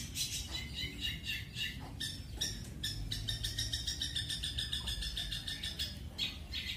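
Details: Pastol-style long-tailed shrike song for training, featuring fast and shooting rolls. A dense, fast-rolling chatter of high, scratchy notes runs almost without pause, broken by a few sharp single strokes.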